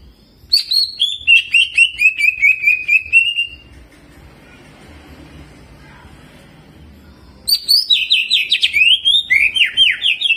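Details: Cucak ijo, the greater green leafbird, in energetic jamtrok song with ciblek mimicry and rolling: a rapid, slightly falling chain of bright chattering notes, a silent pause of several seconds, then another burst of sharp, steeply slurred chirps.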